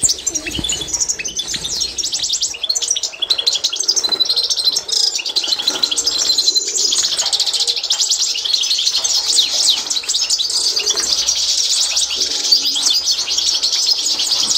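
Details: Constantine-style European goldfinch singing for song training: a dense, continuous high twittering stream of fast chirps and tinkling trills that runs without pause for the whole stretch, with a brief low thump at the start.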